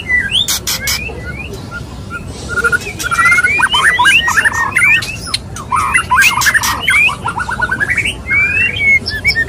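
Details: Courtship mating call of a male white-rumped shama (murai batu) toward a female: loud clicks, whistled upslurs, a brisk stuttering series of short notes and a closing burst of rapid repeated chips.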